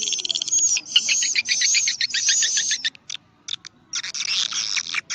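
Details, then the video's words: Swiftlet twittering in the karindanga, liris and gondes styles: a long stretch of rapid, high, buzzy chirps, then a pause with scattered clicks before the chirping resumes. "sp walet karindanga. liris terbaru. gondes suara walet"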